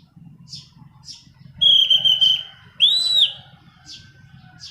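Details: Orange-banded thrush song for luring and tutoring birds: a long steady whistle and an arched whistled note, with short high chips repeated before and after, over a low hum.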